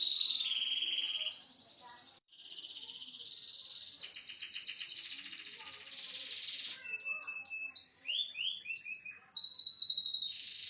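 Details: Small standard canary with a cililin-style varied song: long high buzzy rolling trills, pauses, then quick series of descending whistled notes and sharp chips, ending in a loud sustained high trill.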